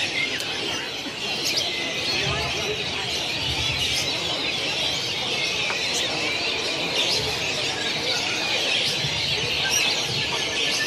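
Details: Lovebird at the Presiden Cup IV contest, Senayan, Jakarta, 2 October 2016, pours out a long, unbroken, shrill chattering trill, high and rattling, over crowd voices and other birds; it won first place.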